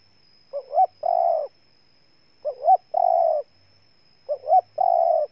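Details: A Ninh Thuận spotted dove, Vietnam, gives three evenly spaced phrases. Each is a quick rising double note, then a drawn-out mellow coo, over a steady faint high-pitched hum.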